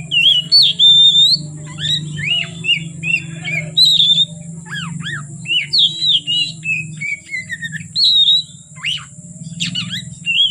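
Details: Oriental magpie-robin singing on from afternoon until dark, a long varied medley of whistles, sharp down-swept chips, mimicked-sounding notes and trills in fast succession, with a steady low hum in the background.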